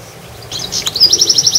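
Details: A goldfinch in a garden gives a quick, bright, high twitter of tinkling notes in a rapid run over a faint low background hum.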